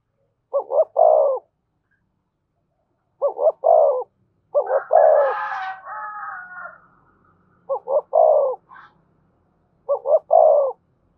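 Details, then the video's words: Spotted dove singing in the 'giọng thổ', 'thúc' and 'kèm' cooing styles: five evenly spaced phrases, each two quick mellow notes then a longer rolling coo, about every two to three seconds; a rooster crows once mid-sequence. "tiếng cu gáy giọng thổ thúc và kèm hay nhất"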